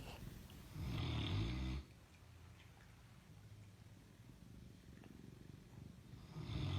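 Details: A Fila Brasileiro snores through the night in bed beside its owner: a loud, deep, rattling rumble, then quiet breathing before the next snore begins.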